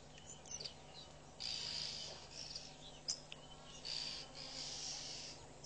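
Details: Southern masked weavers busy building and lining their nest at Pete's Pond, Mashatu Game Reserve, Botswana, in February: high buzzy sizzling bursts lasting about a second, interspersed with short chips, over a steady low hum and faint other birds.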